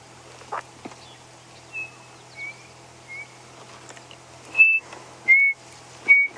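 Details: Chinspot batis at sunrise on a morning safari drive, 13 February 2016, amid a quiet dawn chorus: clear, high, pure whistles, short single notes about a second apart, the last three louder and slightly descending; faint clicks behind.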